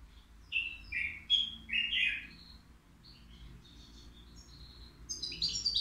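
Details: European goldfinch, caged, three years old, at the Qriaa bird market: several loud twittering, buzzy notes early, a soft thin passage of high tinkles, then a renewed burst of chirping at the end.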